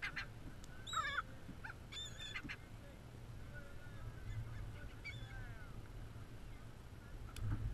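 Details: Gulls eating cheese crackers on a beach in St. Petersburg, Florida, filmed with a GoPro Hero3 Black: a few short nasal, harsh calls in quick bursts over steady low wind rumble.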